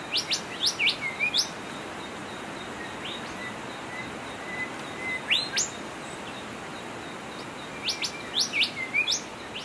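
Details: Golden whistler (Pachycephala pectoralis) singing in the wild: short bursts of sharp, high upswept notes and brief whistles, in phrases a few seconds apart, over a steady background hiss.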